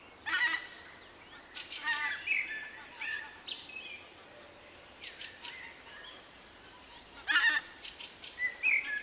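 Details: A shy male Common blackbird with an unusual individual song, rendered 'vuippi vuippi vuuu', recorded in March 2024: fluty phrases near the middle pitch with higher twittery notes, separated by short pauses.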